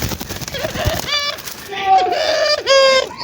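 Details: Local ringed turtle dove cooing, used to get other doves cooing quickly: a faint low coo early, then clearer short rolling coos with a dipping, throaty shape, over background noise.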